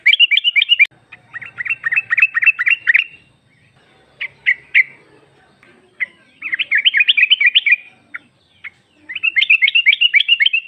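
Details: Female yellow-vented bulbul luring a male with her call: repeated fast, bouncy chatter runs of around eight chips each, with a few isolated sharp notes between the bursts.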